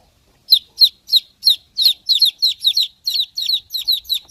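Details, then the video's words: Young chickens cheeping steadily after a brief silence, each note a bright, high, falling peep, often paired, coming roughly three times a second with slight irregularity, against a clean, quiet background. "chicks Chirping sound"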